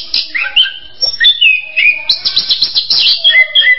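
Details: Orange-headed thrush song of clear sliding whistles, some rising and some falling, mixed with a burst of scratchy twittering in the middle and lower drawn-out whistled notes at the end.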